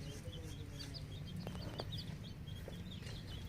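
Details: Several ten-day-old farm-raised naked neck chicks cheep continuously, with short high trilled peeps overlapping one another above a steady, droning low hum.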